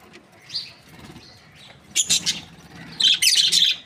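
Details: Australian budgies, a happy breeding pair, chirping: quiet warbling at first, then two bursts of rapid, bright high chirps, the second louder and longer.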